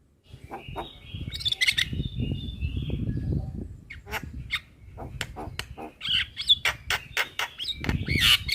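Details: Black-winged myna, white-eyed type, singing vigorously as a training recording for cage birds: sharp clicks and harsh bursts with thin high whistles, set over a steady low rumble of background noise.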